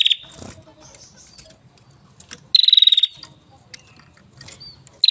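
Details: Hill prinia in an aviary singing vigorously: brief, loud, buzzy pulsed trills, three bursts over five seconds over a low background hum.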